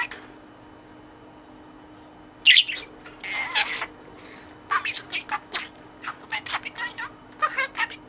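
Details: Pet budgerigar speaking learned words to the toy in its cage: after a quiet start, a sharp squawk, then a busy run of scratchy, clicking chatter and high chirps that continues to the end.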